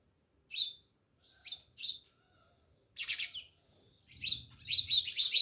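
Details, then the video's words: House sparrows at a village house in Jamnagar start with a few spaced chirps, then break into a fast excited string of chirps near the end. "Natural Sound Of Sparrows | House sparrows Chirping"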